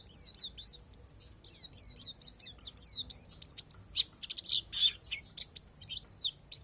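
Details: High twittering song from an Oriental white-eye, Borneo 'palas' variety, with wild-style fill: fast series of piercing down-slurred chirps and brief buzzy bursts, nearly continuous, over a faint constant high tone.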